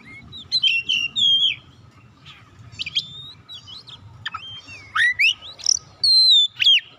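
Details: White-rumped shama song meant to call and stimulate other birds to sing: loud clear whistled phrases sliding and looping between high notes, interspersed with short sharp chirps and brief pauses, over a faint low background hum.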